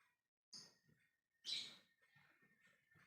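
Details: Lovebird in ngekek style, calling to others: two short, sharp screechy chirps about a second apart, the second louder and harsher, followed by faint scratchy sounds.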